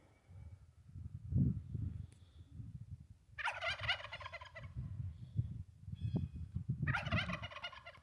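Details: Male Sweetgrass turkey, a tom that escaped his pen for a morning walk, gives two rapid rattling gobbles about three and a half seconds apart, set against steady low rumbling background noise.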